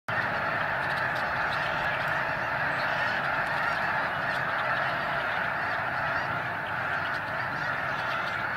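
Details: Migrating snow geese in the Sacramento Valley, a large flock calling at once: a dense, unbroken wall of overlapping nasal honks and yelps, steady in loudness throughout, with no other clear sounds.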